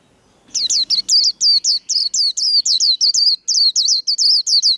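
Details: Contest white-eye singing the 'líu' duel style: a faint low rustle, then a quick, steady run of high looping whistled notes, roughly sixteen in four seconds.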